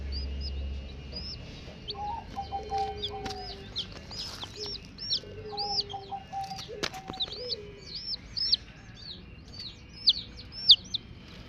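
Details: Baby chicken chicks chirping: thin, high, downward-slurred peeps repeated irregularly, roughly one to two per second, over faint steady tones and low background hum, with a few sharp clicks.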